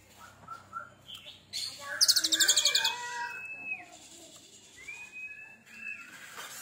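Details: Oriental magpie-robin (kacer) that has molted only once, singing spicy 'tembakan' shots: a fast rattling burst of high repeated notes around two seconds, then long flat whistles and scattered chirps over faint background noise.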